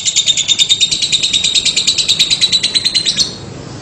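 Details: Lovebird trill called 'ngekek': quick, regular high pulses for about three seconds before stopping abruptly, leaving quiet room noise.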